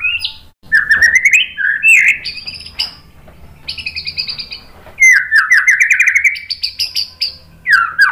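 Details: White-rumped shama song played to make other shamas sing: rich slurred rising whistles alternating with scratchy buzzy trills and rapid rattles, delivered in long continuous phrases with brief gaps.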